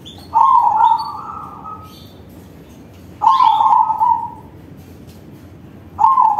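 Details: Crossbred zebra dove singing with a big voice, used as a lure for other zebra doves: a burst of rolling, bubbly mid-pitched coos fading into a drawn-out trill, repeated about every three seconds over steady low hiss.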